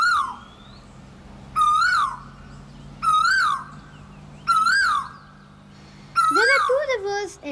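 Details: A male Asian Koel in the jungles of Jharkhand, India gives four loud, clear whistled notes that rise then dip, about every one and a half seconds, over a low steady hum; a lower call overlaps the last.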